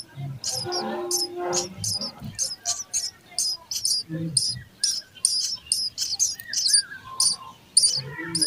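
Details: Rapid, urgent high chirps from sparrow nestlings being fed, almost two per second, with lower chattering notes at the start.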